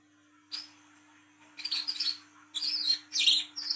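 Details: Olive-backed sunbird singing at night, a lure sound for young birds: a single high chip followed by scratchy, buzzy twittering phrases that grow denser and louder.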